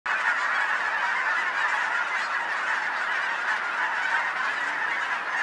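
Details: A huge flock of geese gathered about two blocks from a home in Colorado, producing a dense, unbroken din of overlapping honks with no pauses or single voice standing out.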